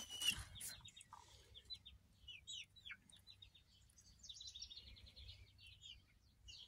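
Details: Peeping from a pair of chicks of uncertain breed, hatched 3 May 2023: rapid strings of short, high, falling cheeps, often doubled, with a loud knock at the start and quiet low hum beneath.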